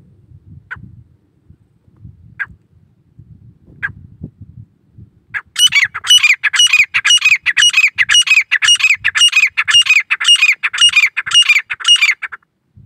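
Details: Grey francolin in the grasslands of Velavadar National Park, India: a few isolated sharp notes, then a loud, harsh, rhythmic run of calls, about two per second for seven seconds, over low rumbling background.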